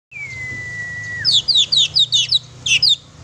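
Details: Oriental magpie-robin singing vigorously, a lure song meant to provoke a pet magpie-robin: one long steady whistle sliding down at its end, then a quick run of about eight sharp, high chirpy notes with short pauses.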